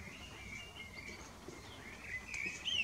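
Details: Common blackbird in the evening giving a short, soft fluted phrase that slides upward, closing with a sharper high twitter, against a quiet background.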